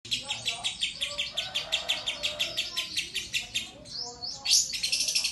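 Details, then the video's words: Lovebird singing at a song competition, its shot-style song fill making judges turn: rapid high chirps repeated about four times a second, then rising sweeping whistles near the end. "love bird (AMEL) isian kapas tembaknya"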